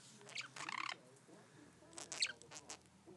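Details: A one-year-old male budgerigar, obsessed with his mirror reflection, chatters in quick, scratchy bursts of clicks and squeaky notes.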